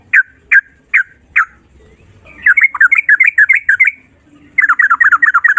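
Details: Sooty-headed bulbul singing in the ropel style, a continuous long-breath chattering song. Four clear whistled notes open, then rapid bubbly runs of warbled, rising and falling notes, repeated in two quick bursts.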